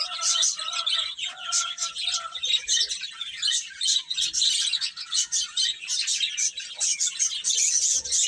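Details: Young chickens eating and playing make a constant flurry of thin, high-pitched peeps, dense and overlapping, rising and falling in intensity every second or so.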